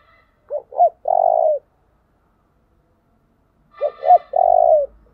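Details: Spotted dove song meant for luring wild doves: the same phrase twice, about three seconds apart, each made of two brief low coos and a long, throaty, trembling note that drops at the end, in silence.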